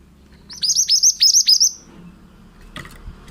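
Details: Vigorously singing male pied bushchat, a training recording for other birds: a quick string of high whistled notes with steep downward slurs over low background rumble, then a short knock.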